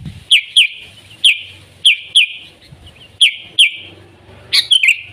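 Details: Sooty-headed bulbul in the wild, delivering rapid paired bubbly notes that each trail into a sustained buzzy whistle, with faint low rumbling background noise.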